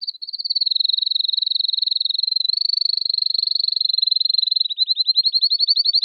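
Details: ['Canary singing a sustained, rapid rolling trill of high buzzy notes for about six seconds, barely changing pitch, then slowing slightly into a more spaced, pulsing trill at the end; no other sounds.']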